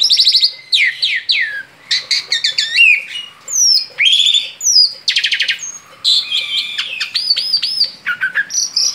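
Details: Outside its cage, a male Asian pied starling sings at full energy, mixing fast rattling trills, clear upslurred whistles and harsh churrs in a long, varied phrase.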